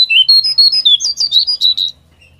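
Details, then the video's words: Lure recording of a pied triller singing: one brisk phrase of about ten sharp, bright whistled notes stepping up and down, ending abruptly and followed by quiet. "Suara Pancingan Jongkangan agar Bunyi"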